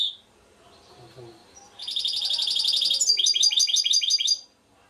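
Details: European goldfinch song: after a quiet start, a bright high twittering burst of rapid, tinkling notes that changes into a run of quick, evenly repeated chirps.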